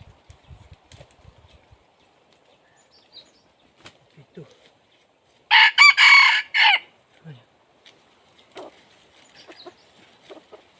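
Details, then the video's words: Red junglefowl crowing as a decoy to draw in wild junglefowl: one loud, harsh crow of several choppy segments lasting just over a second, set in near silence with faint clicks and rustles before and after. "dib qaib qu tuaj zoo Kawg li ต่อไก่ป่าเข้าดีมาก"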